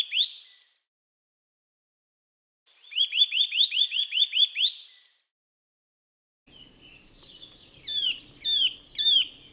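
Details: Eurasian nuthatch singing three separate phrases of rapid, high, repeated whistled notes. The middle phrase is a fast even trill of about ten notes. The last phrase is slower, with downslurred notes over faint background noise.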